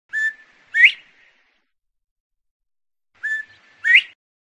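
A Northern bobwhite gives its clear two-note whistle twice, about three seconds apart: a short level note followed by a loud, sharply rising 'white'.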